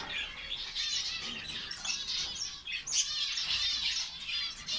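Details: Saudi Arabian finch colony: steady overlapping high chirps and short trills from many birds, with one sharp louder note near the middle.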